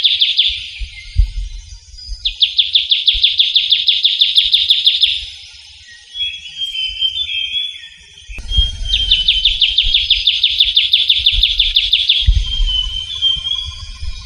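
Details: Trilling shrike-babbler, known locally as ciu kunyit, calling in a Javan forest: two long, rapid trills of sharp repeated high notes, each about three to four seconds, separated by thin whistles and a brief pause.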